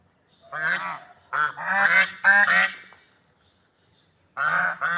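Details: Swans calling in nature with reedy trumpeting honks, several in quick succession, a long quiet gap, then two more near the end.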